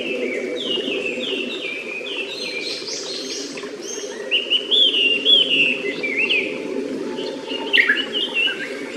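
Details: Japanese paradise flycatcher singing in a still forest close to its nest by a clear stream; short falling whistles repeat in quick succession, then brighter slurred notes, with stream water rushing steadily beneath.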